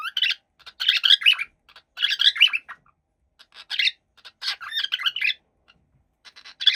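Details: A happy cockatiel keeps up a chirpy, scratchy chatter, dense bursts of squeaks and rasps separated by brief pauses, with no other sounds.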